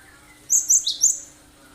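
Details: Cinereous tit in full, sharp 'tembakan' song, used as a lure to get other birds singing: one quick phrase of three high, thin, bright notes, the last dropping slightly lower, over quiet background with a faint steady hum.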